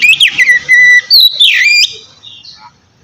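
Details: Relaxed open song of a white-rumped shama, used to stir lazy birds into singing: rapid falling whistles, then a long steady whistle and a slurred rising-falling phrase, fading into faint background.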